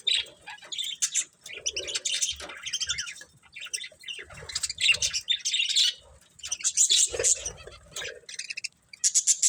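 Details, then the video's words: Several budgies chirping steadily, long runs of warbled, squeaky and buzzy chatter with sharp high peeps and short pauses, the flock's voices overlapping throughout. "Cute Budgies Chirping Sounds"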